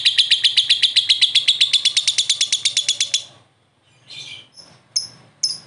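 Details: Prospect lovebird joins in answering another with ngekek: about three seconds of fast, evenly spaced high chirps, then a sudden stop followed by a few scattered squeaky notes.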